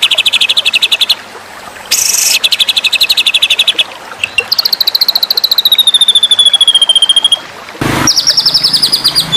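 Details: White-rumped shama trill for contest training: bursts of quick, high, repeated chips, some steady and some sliding downward, cut by brief loud noise bursts between the runs.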